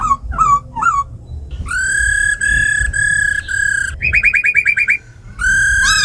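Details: Captive laughingthrush song in forest style, with a female calling alongside, meant to fire up other birds: short hooked notes, then long ringing level whistles, a fast rattling trill of repeated notes, and a final whistle.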